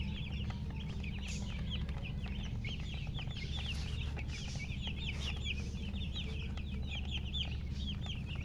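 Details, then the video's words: Chicks of the domestic chicken chirping in chorus, quick descending peeps repeated rapidly and irregularly, overlaid on a loud steady low-pitched hum. "Witty MURGI Baby "Chicks Chirping" Sound"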